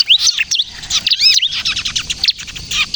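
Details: Bar-winged prinia in energetic kejepit-style song, used to lure birds and prompt other prinias to sing: a rapid, dense stream of high chirps and arched whistled notes with brief pauses, steady for three seconds.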